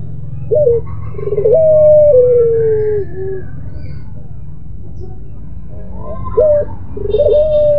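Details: Pelung-style Barbary dove giving its moaning, crying coo: short wavering notes followed by a long drawn, gently falling coo, repeated twice over a steady low hum and background rumble.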